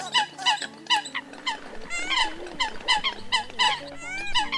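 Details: Eurasian coot calls used to draw in migrating birds: sharp, nasal honks about once or twice a second, overlapping slightly, with a low constant hum beneath.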